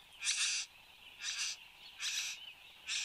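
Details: Satin bowerbird displaying at its bower in Australia, morning of 10 January 2015 at 8:02 am. Four harsh, buzzy, broadband bursts come at roughly one per second, with a steady insect drone behind.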